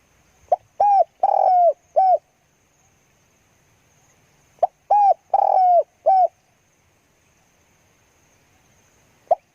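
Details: Spotted dove kept as a decoy bird for luring wild doves. It gives loud, low cooing phrases: a few short coos, then a longer drawn-out coo and a final short note. Two phrases are separated by silence.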